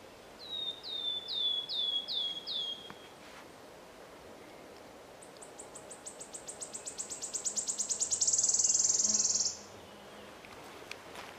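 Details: Wood warbler recorded in Poland on 22 May 2013: five clear downslurred piping notes, then a high ticking series that speeds up and swells into a loud shivering trill lasting about two seconds before stopping abruptly; quiet background.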